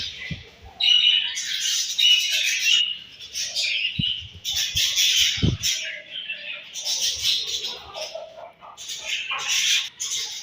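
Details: Budgerigars chirping during morning feeding, bursts of high scratchy chatter and whistled notes alternating with short lulls, a few sharp clicks and a low thud in the middle.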